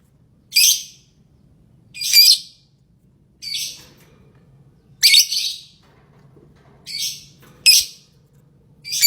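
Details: Lovebird giving loud, rasping squawks spaced one to one and a half seconds apart, a couple noticeably fainter, with a quiet low murmur between calls.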